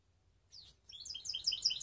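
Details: Mixed canary (baster) from Skopje singing: after a brief high slurred note and a pause, a fast run of bright, high chirping notes builds in loudness.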